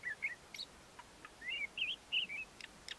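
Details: Singing male Ant-eating Chat in courtship, giving squeaky whistled notes with quick up-and-down inflections, about four per second, interspersed with brief clicks.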